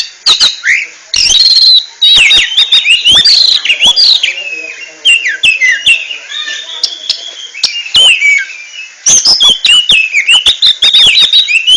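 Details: Oriental magpie-robin (kacer) singing in the ngentrok style: a dense, varied run of bright whistled notes, sharp chips and rising and falling slurs, delivered almost nonstop with only brief pauses near two and nine seconds.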